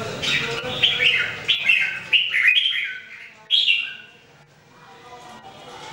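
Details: Caged Red-whiskered Bulbul (jambul), one of three singing in daily practice: a run of five or six quick whistled notes, each slurring downward, then fading to quiet.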